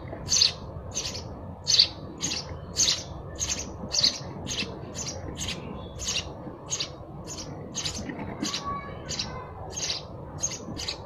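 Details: Sparrow chirping continuously, around twenty quick scratchy notes about every half second, loudest at the start and gradually softening, over a quiet murmur.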